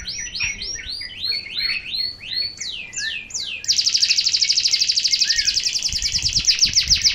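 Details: Local canary singing a series of high, sweeping whistled slurs falling in pitch, then a loud sustained rapid trill, the so-called shot, each pulse very fast and even.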